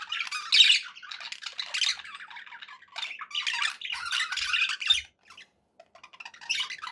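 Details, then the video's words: Pet budgies chattering happily in bursts of raspy warbling and sharp squeaky chirps, fading to a near silence before a last short phrase. "happy budgie sounds"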